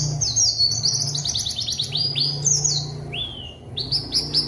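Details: White-eye in full song, used as a lure to call rival white-eyes into answering: rapid runs of high, downward-slurred whistled notes, a longer falling whistle near the end, over a low steady hum.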